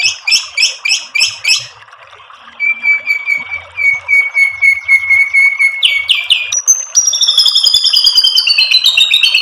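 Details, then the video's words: White-rumped shama provoking song: five evenly spaced, ringing rising-falling whistles, a long level whistled note, then a quick accelerating stream of bright high chirps and trills. "MASTERAN MURAI BATU memancing EMOSI jadi NYAUT GACOR BONGKAR MATERI TEMBAKAN | PANCINGAN MURAI"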